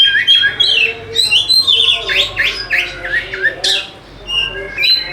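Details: Oriental magpie-robin song played as a lure to make lazy caged birds sing: a loud, rapid run of varied whistled phrases, sharp rising and falling sweeps and chirps, tumbling on almost without pause.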